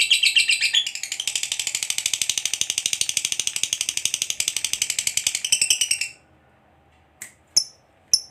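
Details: Long unbroken 'ngekek' chatter of a fighter lovebird, used to rouse other lovebirds into answering: a six-second rapid shrill rattle that ends suddenly, followed by three short sharp squeaks.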